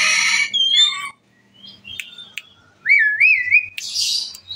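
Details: Asian pied starling in full song, said to prompt other birds to join in; a harsh rasping burst, then clear wavering whistles and a final buzzy hiss.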